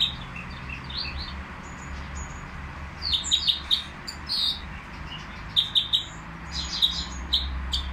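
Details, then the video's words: Caged nightingale in the Qriaa bird market starting with soft scattered whistles, then breaking into louder clusters of high chirps and trilled notes, against a continuous low rumble. "تغريد طائر الهزار"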